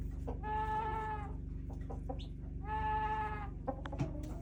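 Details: Chickens in a backyard flock giving odd, bleating-like calls: two sustained, evenly pitched, nasal notes close to a second each, with faint clicks between them and a steady low hum behind.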